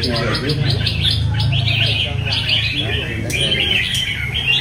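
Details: Caged Red-whiskered Bulbul kept for singing competitions, praised as a diligent singer, delivers bright warbled phrases in quick succession over a steady low hum, with talking voices in the background.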